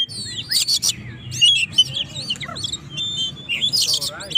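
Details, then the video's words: Oriental magpie-robin singing energetically, used to provoke rivals: varied whistled phrases, slurred notes and rapid chattering at high pitch, with harsh broadband bursts near the start and end, over a low steady hum. "burung Kacer gacor ngobra!! pancingan lawan"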